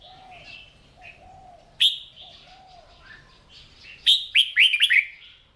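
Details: Red-whiskered bulbul in morning singing practice, used to spur weak-spirited birds into voice: scattered clear whistles, then a burst of loud sharp chirping notes near the end, with low soft cooing notes in the background.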